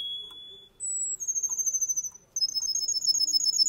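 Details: Male Russian canary singing: long pure whistled notes held steady, followed by fast rolling trills, high and bright, with rapid pulsed warbling at the end.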